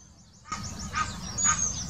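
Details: Brief burst from an Egyptian goose, Wittlicher Senke, 2018, mating call: two harsh honks half a second apart after a quiet opening, with a faint high whistle of another bird.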